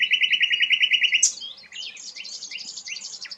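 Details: Rare sikatan londo flycatcher opens with a fast, even trill of repeated notes, then shifts into a dense, scratchy warble of mixed high phrases.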